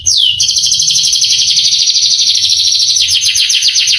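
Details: Male canary song used to excite young birds: one descending whistle opens into a long, dense, rattling trill that later breaks into faster sweeping notes.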